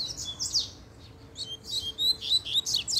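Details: Double-collared seedeater going wild as a female appears: choppy high chirps and downward-slurred buzzy notes, a quick phrase, a short gap, then a louder, faster run of sharp twittering.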